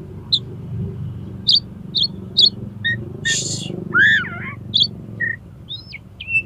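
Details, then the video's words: Oriental magpie-robin, for tutoring contest birds, gives scattered short high chirps, one buzzy burst and a looping whistled phrase over steady low background rumble. "SUARA KACER INI COCOK UNTUK MASTERAN DAN PANCINGAN KACER LOMBA AGAR MAU BUKA PARUH"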